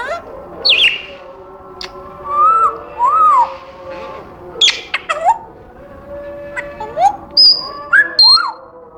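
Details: Pet African grey parrot in a cage producing a varied run of whistled notes, short arched whistles, upslurs and high squeaks spaced irregularly, with a background household hum.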